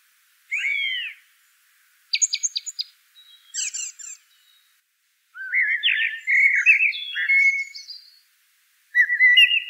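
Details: A Eurasian blackbird alternates a falling fluted note, rapid high stuttering clicks and a long rambling warble of whistled notes, then opens one more phrase.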